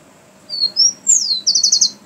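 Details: Song of a rufous-collared sparrow, a pair of thin high whistles, the second slightly higher, followed by a bright downward-sweeping note and a rapid buzzy trill of about eight pulses at the end.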